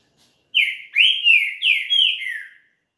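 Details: Song of a champion green-winged saltator, used to warm up another bird quickly: one continuous two-second phrase of five loud, rich whistled notes. Each note slurs upward and then glides down, and the notes run smoothly into one another.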